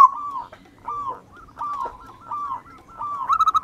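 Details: Local wild-type zebra dove singing, kept to coax other doves into song: a string of soft falling two-part coos, closing with the start of a quick, louder pulsing trill.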